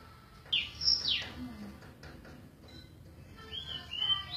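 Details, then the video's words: Golden-bellied gerygone singing: thin, high whistled notes slurring downward, a short pause, then a few higher rising-and-falling whistles near the end; faint low background hum. "suara burung remetuk laut"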